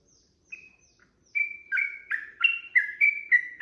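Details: Sooty-headed bulbul song used to provoke a rival into replying: after a quiet start with a thin whistle, clear chirped notes with a falling second part begin, quickening into a rapid run.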